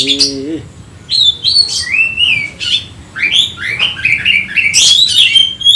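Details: Emotional Oriental magpie-robin calling for a rival: a low wavering tone at the start, then a varied run of whistled notes, slurs and upward sweeps growing denser toward the end.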